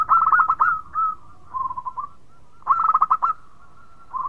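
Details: Local zebra dove song, said to set other birds off singing: two bursts of fast, trilling coos about two seconds apart, each followed by softer, lower sustained notes.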